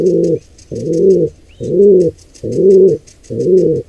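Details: Five deep, rounded pigeon coos at a steady rhythm near a wild squab attacked by an intruder pair, over faint clicking and a brief high squeak.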